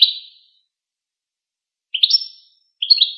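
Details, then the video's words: Goldfinch song fragments: a single fading chirp, a long pause, then two quick high tinkling phrases, one with a thin drawn-out whistled note. "Empowering Songs of the Goldfinch"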